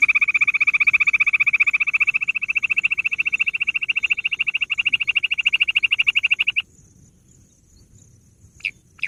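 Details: Bush quail (gundri) call: a steady, fast train of ringing high notes that lasts about six and a half seconds, stops abruptly, then gives way to near silence and two short clicks.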